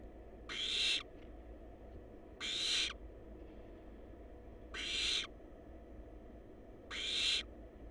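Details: Wild barn owl babies filmed up close by a nest-box live camera give four broad, harsh hisses, each under half a second, spaced about two to two and a half seconds apart, with a low hum behind.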